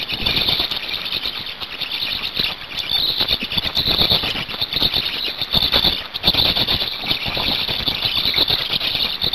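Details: Hungarian black storks at the nest during feeding, 5 May 2019 at 17:02; continuous high, hissing squeals pulse steadily throughout, with scattered rustling and knocking clicks from movement at the nest.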